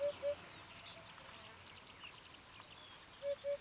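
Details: Spring song of a Eurasian hoopoe in Bulgaria, 2015: a pair of soft, low hollow notes at the start and another pair at the end, separated by a pause filled with distant birdsong and faint background hiss.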